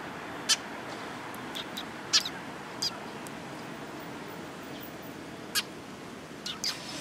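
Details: Eurasian tree sparrows flocking to food, recorded 26 October 2017: sparse, abrupt high chirps at irregular intervals, sometimes paired, with long gaps of even background hiss between them.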